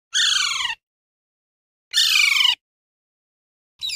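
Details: Ringneck parrot giving two loud, harsh, descending screeches, each about half a second long and rich in harmonics, separated by a silent pause, with a third screech starting at the end.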